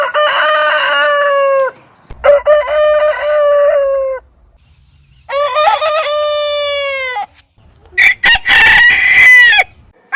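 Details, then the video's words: Crowing roosters from a heritage-breed compilation: four crows separated by silent cuts, the first three clear with bending starts and steady drawn-out tails, the last rougher and noisier. "Chicken Crowing Ayam Berkokok Con Gà Gáy"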